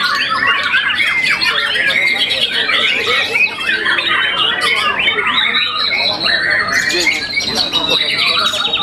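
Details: Contest-champion white-rumped shama, young and moulted once, delivering a long unbroken stream of varied whistles, sharp chips and buzzy trills, fast-changing phrases throughout.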